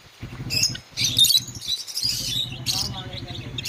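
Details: Caged pet Java sparrows at play utter bursts of thin, high chirps and squeaky notes in quick irregular clusters, with a steady low rumbling hum underneath.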